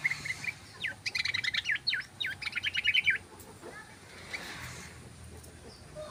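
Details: Long 'ropel' song of the yellow-vented bulbul, played to lure birds: a quick, bubbly run of clear chirping notes lasting about two seconds, then quieter faint calls over steady outdoor background noise.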